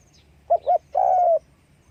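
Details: Spotted dove calling with wing flapping: two short clipped coos followed by a longer, steady, mellow croo, one low-pitched phrase over a quiet background.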